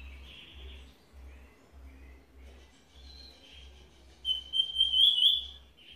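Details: Cuban bullfinch in Villa Clara, Cuba, giving redoblao song: soft, uneven trilled notes against low background hum, then a louder bright rolling trill near the end.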